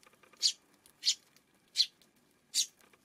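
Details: Four loud, harsh chirps from a Eurasian tree sparrow on a June 5 afternoon, spaced about two thirds of a second apart in a clear, quiet setting.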